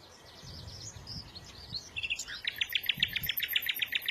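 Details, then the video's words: Small bird singing a run of rapid, scratchy twittering notes that turns into a fast series of bright, repeated high chirps, with a faint low murmur underneath. "تغريد العصافير"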